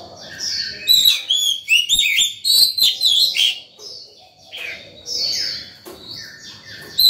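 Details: White-rumped shama in morning song, calling to other birds and training young ones: loud, varied whistled and trilled phrases in quick bursts, pausing briefly before resuming with softer notes.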